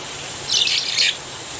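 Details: Javan myna recorded as rain comes down, giving one loud, broad, harsh two-part squawk lasting about half a second, with continuous rain hiss behind it.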